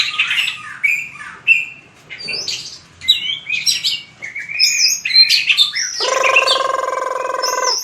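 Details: White-rumped shama in training for fighting song: rich, varied whistled and buzzy phrases with quick slurred notes. A loud, harsh, harmonic sustained note closes the final two seconds.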